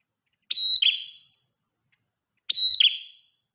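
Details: Ashy tailorbird in full song, meant for morning and night: two identical phrases, each a piercing whistled note slurring into a buzzy downward trill, about two seconds apart with quiet between.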